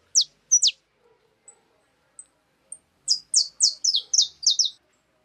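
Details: Two sharp descending chirps from wild birds at a cracked-corn feeder, a few faint peeps, then a rapid, regular string of about eight high chirps.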